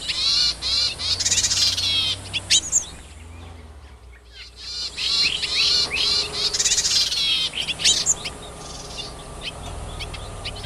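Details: Wild yuhina foraging to feed its young: dense series of raspy, buzzy high calls with stacked upward-curving tones, pausing briefly for a few seconds before resuming, and ending in thinner scattered notes.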